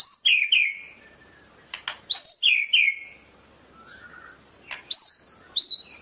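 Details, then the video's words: White-rumped shama, murai medan type, giving high piercing downslurred whistle pairs and raspy bursts, with long gaps and a soft low warble between phrases; nothing else audible. "SUARA BURUNG MURAI MEDAN"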